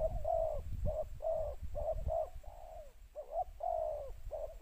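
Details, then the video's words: Spotted dove luring others with its two-note calling style, producing a fast series of soft coos and one longer drawn, down-sliding note, with low rumbling underneath. "เสียงนกเขาใหญ่ ต่อ ขันเรียก คูอ่าง 2คำ"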